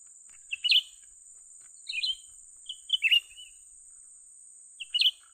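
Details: Grey-bellied Bulbul, a young bird, calling while being lured for trapping: clusters of quick chirped notes and a short trill-like phrase spaced about a second apart, with a constant high-pitched hiss behind.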